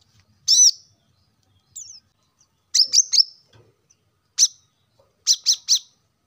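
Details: Plain-throated sunbird (kolibri kelapa, wiceh, manggar), a lively recording used to spur lazy caged birds into song: sharp, very high chirps in ones, twos and threes, with irregular short pauses and a quiet background.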